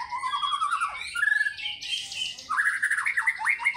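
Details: Murai batu, the white-rumped shama, singing ngekek lure material for fighter birds: a rising whistled trill, a brief harsh buzzy burst, then loud rapidly repeated upslurred notes.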